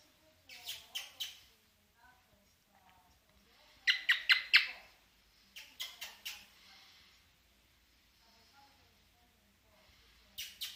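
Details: Male-mood cockatiel in mating mood singing: short bursts of harsh, buzzy chirps and squeaky notes, grouped in quick clusters of three to five around one, four, six and ten seconds, with quiet pauses between and faint low murmurs underneath.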